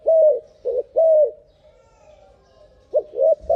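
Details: Turtle dove coo call played faster than normal speed: hollow low coos in alternating short broken notes and longer drawn notes, a pause midway, then more coos; quiet background.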